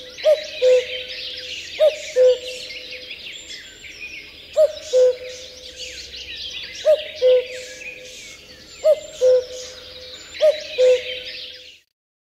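An Asian koel repeats loud, hollow two-note whistles, 'ku-oo', every two seconds or so, over a busy background chatter of smaller birds.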